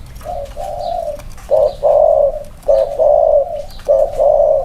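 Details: Two male spotted doves placed side by side for comparison, one with clipped wings, coo at close range. Low mellow hooting phrases come in repeated pairs, a short note then a longer drawn-out coo.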